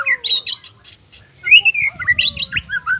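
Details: White-rumped shama song played to make young and adult contest males sing: high chattering bursts followed by a bright rising whistle and a tumbling series of varied slurred notes.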